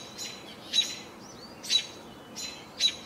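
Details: On 28 June 2018 in bright sun, an American robin gives short, clear chirped phrases about once a second, bright and mid-high in pitch, over a soft outdoor hiss; house finches are also heard.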